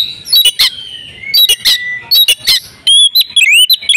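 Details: Oriental magpie-robin female in breeding condition, used to make males sing, giving clipped harsh notes and quick chirps. These are followed by clear rising whistled slurs and higher thin notes.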